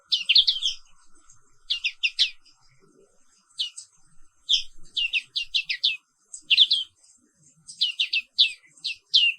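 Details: Morning therapy song of the black-capped white-eye: fast, high twitters delivered in bursts of several notes, with short silences between phrases, in a quiet setting.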